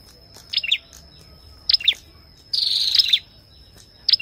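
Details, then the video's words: Ashy tailorbird with female calls: paired sharp chips, then a longer buzzing trill near the middle, followed by more chips; a thin steady high tone persists beneath. "Tiếng chim Sâu đầu đỏ hót kèm tiếng Mái | Chích bông nâu ✅Ashy Tailorbird call"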